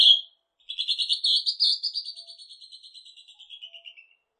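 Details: Northern hawk-cuckoo (Hierococcyx hyperythrus), recorded in Korea in 2020, opens with a shrill note, then a rapid run of high, piercing pulses that rise slightly, then slide lower and fade over about three seconds.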